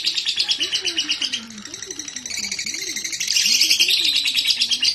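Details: Lovebird in breeding condition, used to provoke a fighter bird: busy high-pitched chirping chatter, quieter in the middle then swelling louder, over a repeated low swooping tone.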